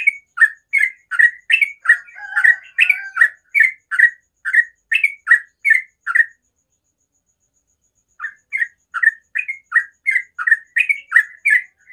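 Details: Yellow-vented bulbul singing a rapid, continuous 'ropel' song in the morning: quick bubbly notes near the same pitch, about two or three a second, a pause of about two seconds midway, then the run resumes. A faint thin steady whine sits behind.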